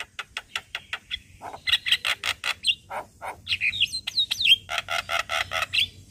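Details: Caged Javan myna, a morning lure recording used to train other mynas to sing: rapid series of harsh broadband chips and rattles, then squeaky rising whistles and loud repeated buzzy bursts.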